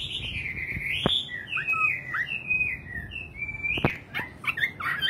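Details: Singing nightingale: long, gliding whistled phrases broken by sharp clicks, then quick separate chirps near the end.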